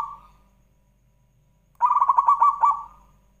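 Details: Zebra dove song meant as a lure for other doves: the tail of a coo fades out, then after a pause comes a full phrase of quick rattling coo pulses ending in a held, fading note.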